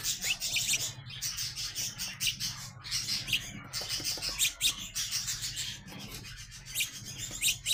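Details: Young house sparrows growing up, giving a dense stream of sharp, high chirps and tweets in rapid irregular bursts, overlapping almost without pause, over a low steady hum.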